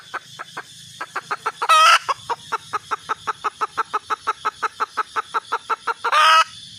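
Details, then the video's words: Red junglefowl hen calling for a mate with a long chain of sharp, evenly spaced clucks, about four each second. Two brief loud harsh bursts break in near the start and near the end. "suab poj qaib tsauj zoo heev"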